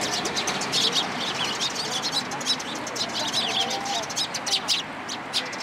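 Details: Flock of sparrows arriving in a cherry tree at a Tenmangu shrine in Japan on 24 March 2023, busy chattering of many short high chirps throughout, over a loud continuous background rumble.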